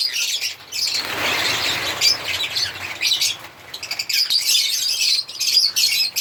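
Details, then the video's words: A chorus of African lovebirds chirping and singing: rapid, shrill squeaky notes, a rougher harsher patch early on, then bright, busy twittering again. "Lovebirds singing sound/Lovebirds sound/African Lovebirds singing and chirping sound"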